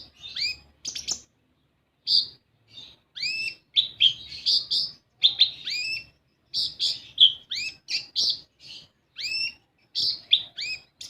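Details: Olive-backed sunbird chattering song used to coax young birds into singing: dense bursts of high chirps and descending whistled slurs in quick clusters, separated by brief silences.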